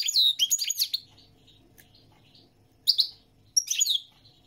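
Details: Goldfinch song opening with a rapid, tinkling run of high twitters and slurred notes lasting about a second, then a pause before two brief chirpy phrases.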